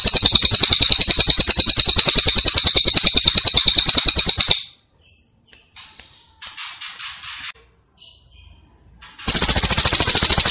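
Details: Brown cililin songbird, long-duration training master with dense rapid bursts: a loud, piercing high trill of fast repeated notes, then a gap with faint scattered chirps, and the rolling trill bursting back at the end.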